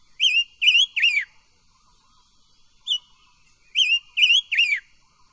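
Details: Ornamental silver-eared mesia in voice training: two phrases of three loud ringing whistled notes, the final note of each sliding down, separated by a single short whistle and quiet gaps.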